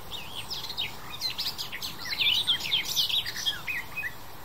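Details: A garden warbler sings a long, rapid, mellow warble of rich, bubbling notes, flowing without pause, over quiet background hiss; recorded 28 May 2021 in Landkreis Kitzingen, Lower Franconia, Germany.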